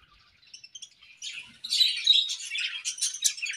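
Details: Budgerigar pair in an aviary one morning: faint scattered chirps at first, then a louder run of rapid, high, scratchy twittering notes that continues to the end.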